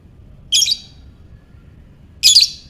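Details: Two loud, harsh squawking bursts from a lovebird, ngekek style, used to stimulate other lovebirds, spaced under two seconds apart, each rough and buzzy with a trailing fade.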